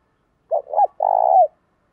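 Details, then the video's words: One coo phrase from a spotted dove decoy meant to draw wild doves into cooing back: a wavering two-note start, then a steady, vibrato-like low coo fading downward. The surroundings are silent. "chim cu mồi thúc kèm gáy gọi bổi nghe rất thổn thức và gáy đấu theo"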